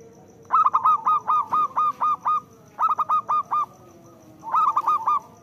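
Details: Local Zebra dove, a frequent singer with a loud voice, used as a lure for doves reluctant to sing: three bursts of rapid, stuttering coo notes, six to eight per burst, separated by short pauses over a faint low hum.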